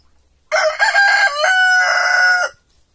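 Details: A white rooster gives one loud two-second crow: a few stuttered opening notes, then a long held, slightly nasal note that cuts off sharply.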